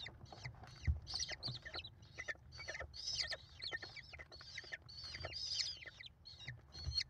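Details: Five nestling American kestrel chicks mob their mother as she feeds them at a nest cam on 28 May 2021. They give a dense, overlapping chatter of harsh, high screechy notes, over a low rumble.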